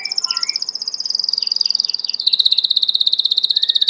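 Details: Continuous rolling trill from a Belgian canary, fast pulsed notes held at a high pitch, with swooping slurred notes underneath and a step to a slightly lower trill partway through.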